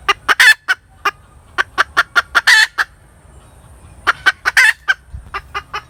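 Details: Hen cackling in bouts: clucks speed up into loud grating squawks, pause for about a second, then resume with another run of clucks and squawks.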